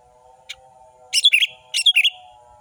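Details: Orange-headed thrush song played as a lure to stir lazy, passive birds into singing: two quick bursts of sharp, descending whistled notes with a lone chip before them, over a steady low electronic hum.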